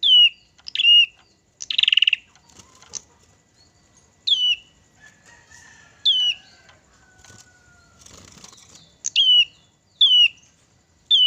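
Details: Red-headed prinia call, played to provoke other birds: sharp high notes that slide steeply downward, repeated at uneven gaps, with one brief buzzy burst.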